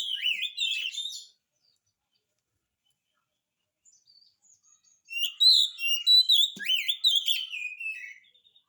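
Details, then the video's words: Oriental magpie-robin singing to prompt silent birds of its kind to answer: a burst of sweeping, slurred whistles, about four seconds of silence, then a longer run of rising and falling chirps and whistled notes. "kacer gacor, cocok untuk pancingan kacer malas bunyi"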